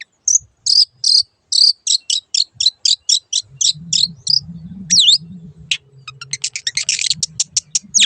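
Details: Cendet, the long-tailed shrike, performing a tutoring song for caged birds: a steady series of about fifteen scratchy chattering notes, then downward slurred whistles and a burst of rapid ticking notes, soft hum in the background.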